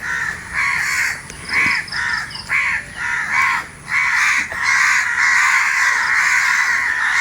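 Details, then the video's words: Crows calling in the morning among Gopalbhog mango trees where ripe mangoes are falling. Harsh, nasal caws come in bursts of short repeated notes, then merge into longer overlapping cawing from several birds. "আপনাদেরকে এই কাকের যে ন্যাচারাল আওয়াজটা, এটা হয়তো অনেক দিন থেকেই আমিও শুনিনি, আজই শুনছি, তাই সকাল সকাল আপনাদের এই ন্যাচারাল আওয়াজটা দিলাম।"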